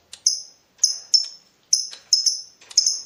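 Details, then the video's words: Lovebird calling to provoke a rival, in breeding mood: sharp, high chirps in short bursts, some doubled, repeated every half second or so, with brief gaps of silence. "BURUNG LOVEBIRD MENCARI LAWAN || LB MANAPUN PASTI NYAUT BUNYI"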